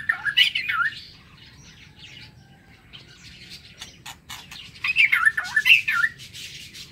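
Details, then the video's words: Morning song of a White-rumped shama kept in an aviary: a fluting, swooping phrase, a quieter stretch of scattered clicks, then another rich, looping whistled phrase, with a low hum underneath. "Tiếng Chích Chòe Lửa độc lạ hay"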